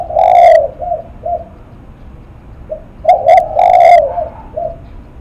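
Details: Spotted dove cooing in the style called 'lắc mặt': low, hollow coos around one pitch, a long note then two short ones, repeated after a pause as short, clipped, long-drawn and short coos, against a quiet background.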